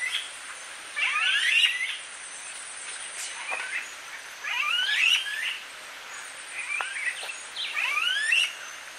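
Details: Smooth-billed ani (Crotophaga ani) in Viñales, Cuba, July 2017, gives whiny, rising squealed whistles in bursts about every two to three seconds, over a steady high insect-like hiss.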